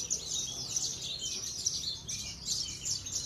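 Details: A caged Javan bush lark (Horsfield's bush lark), a consistently winning competition bird, sings a dense, unbroken stream of high, scratchy chirps and trills with brief surges, over faint background hum.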